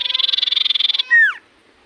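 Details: Common iora in full song, said to provoke any iora into replying: a quick pulsed buzzy trill lasting about a second, closed by a strong downslurred whistle.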